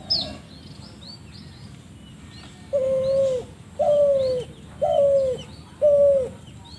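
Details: Strange call of a spotted dove: four clear, falling coos, each about half a second long, spaced roughly a second apart. Thin high chirps from other birds are heard between them.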